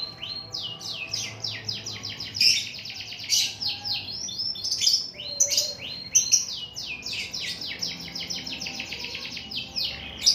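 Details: Canary in full 'gacor' song, delivering long unbroken runs of rapid high chirps and rolling trills, with frequent changes in note shape and sudden loud sharp accents throughout.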